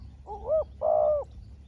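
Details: Spotted dove calling against a small-voiced wild dove: a wavering upswept note followed by a longer, steady rolling coo, clear over faint low rumble.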